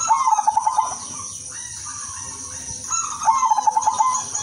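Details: Udanmas silver zebra dove singing to attract other doves. Two phrases of rapid, evenly spaced staccato coo notes are joined by softer, smoother cooing between them, with a persistent high hiss.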